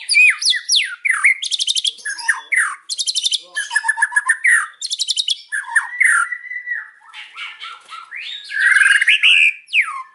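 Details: White-rumped shama singing in the afternoon: a loud, varied stream of whistled phrases, rapid buzzy trills and harsh rattles, with sweeping notes and dense clicking bursts packed closely together.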